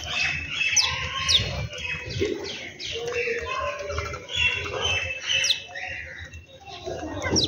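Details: Several birds calling at home in the morning, a steady mix of quick high chirps, short whistles and twittering notes overlapping throughout, over light low background noise.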